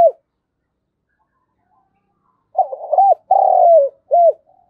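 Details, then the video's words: Spotted dove used as a decoy, cooing in the morning to call in wild doves: after silence, one deep rhythmic phrase of short hooked notes, a long wavering coo and a final hooked note. "cu gáy gọi bổi buổi sáng mở lên kích bổi hiệu quả"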